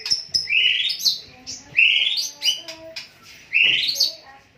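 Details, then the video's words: Caged Medan white-rumped shama during its care period, giving loud rising whistled phrases about every second and a half, with fuller warbled notes between them and low background clatter and murmuring. "burung murai medan gacor dor dor"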